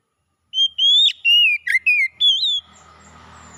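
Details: Oriental magpie-robin song meant to restore a bird that has stopped singing: loud clear whistles, sharp upslurs, short dips and a final rising whistle, followed by a soft low hum.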